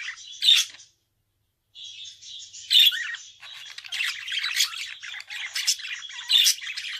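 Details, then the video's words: Budgerigar song that opens with a squeaky note, falls silent for nearly a second, then resumes as steady grating chatter punctuated by several sharp, louder chirps. "Kuş sesi - Muhabbet Kuşu"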